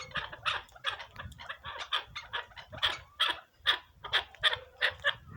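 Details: Partridge from Pakistan giving a series of harsh, clucking bursts, roughly two or three each second in uneven rhythm, with faint low background rumble.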